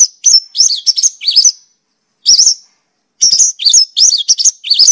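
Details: Loud Mongolian lark song for bird training and lures: high twisting, wavering notes in quick bursts, one drawn-out whistled tail, with short pauses between phrases.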